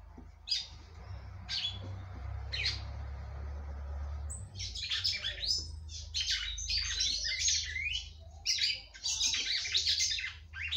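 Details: A female red-cowled cardinal sings to stimulate the male. Three isolated high chirps over a loud low rumble are followed by about six seconds of dense, rapid, high twittering song.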